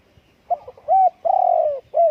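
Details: Spotted dove calling. Soft stuttering notes lead into three mellow coos, with the middle one long and gently descending and the last one short and falling.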